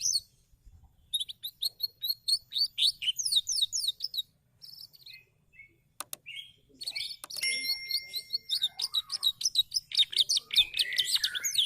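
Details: Frequently singing canary pours out rapid high trills and buzzy repeated chirps, with a brief pause, a sharp click, then a steady whistled tone before quickening rolling trills to the end.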